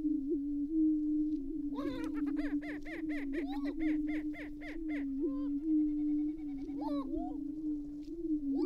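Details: Greater prairie-chickens at an April lek near Glacial Ridge refuge, Minnesota, with males facing off on a cold frosty morning. A deep constant drone underlies a fast run of about a dozen repeated, stacked cackling notes, then scattered whoops.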